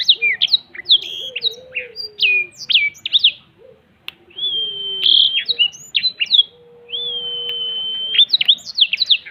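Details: Black-throated canary, wings spread, delivering cetekan song: bursts of quick, high twittering notes broken by a brief pause, then long, level whistled notes and more rapid chirps, with a faint low tone underneath.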